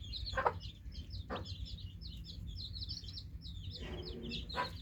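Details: Continuous thin chirping from newly hatched chicks, partly masked by heavy low background noise, with a couple of sharp taps near the start and end.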